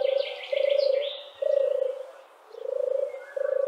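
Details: Common wood pigeon in Central Russia giving low, husky cooing notes in a steady rhythm of about five phrases, each half a second long, with faint high chirps from other birds behind.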